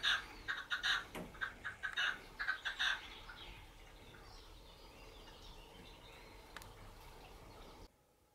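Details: A red-legged partridge sings while hidden in low scrub, watched by a perched common buzzard: a burst of harsh, rhythmic chuffing notes for about three seconds, then quiet countryside background.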